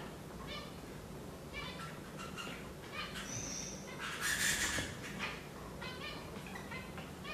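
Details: Gouldian finches give short, nasal, harmonic calls in quick clusters of three to five notes, with a brief hissing rush of sound midway.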